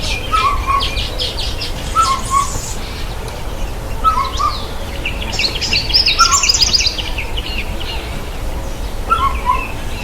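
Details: White-bellied sunbird while bathing; a low two-note whistled motif repeats about every two seconds, interleaved with bursts of high, scratchy twittering and buzzy chips.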